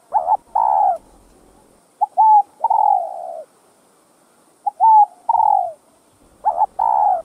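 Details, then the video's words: Spotted dove cooing for a full routine of gáy gọi, thúc and gù coos, played to rouse newly kept doves; repeated three-part phrases of short notes and a long falling coo, separated by quiet gaps. "CHIM CU GÁY Giọng Hấp Dẫn ĐỦ BÀI [GÁY GỌI,THÚC,GÙ ]"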